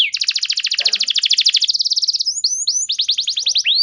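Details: Canary song meant to coax quiet canaries into song: a long, very rapid rattling trill of identical syllables, then quicker slurred whistles and a rising final note.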